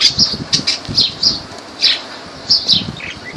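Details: Lovebirds at Laylan, Kirkuk, with piercing high chirps repeated in quick pairs, mixed with soft low thumps and rustling, then a few lower, thinner notes at the end.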